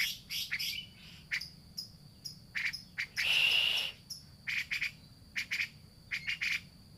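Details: Grey-cheeked bulbul calls played as a lure for a bird that has gone quiet. Clipped, grating chatter notes repeat irregularly around a longer, louder rasping burst midway, with a steady high background tone.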